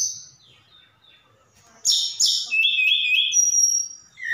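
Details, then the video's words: Javan bush lark from Sukabumi, a lively singer whose song includes imitated phrases of cililin and sikatan londo; after a quiet start come sharp buzzy bursts, then level whistled trills and a thin high note. "Tledekan Gunung Gacor Sukabumi"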